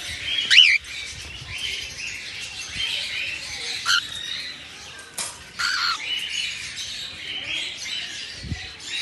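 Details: Albino cockatiels at morning time: one clear arched chirp early on, then mostly a background of soft overlapping twitters with a few faint sharper notes.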